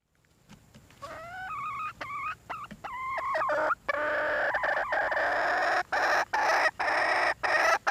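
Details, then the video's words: Red junglefowl hen starting with several clear, rising, slightly wavering tonal notes, then breaking into a long, raspy, continuous call cut by brief pauses toward the end. "nkauj qaib see zoo heev"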